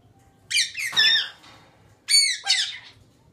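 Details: A pet male rose-breasted cockatoo (galah), lying on his back playing with a wooden block toy indoors, gives four harsh, grating screeches in two quick pairs about a second and a half apart.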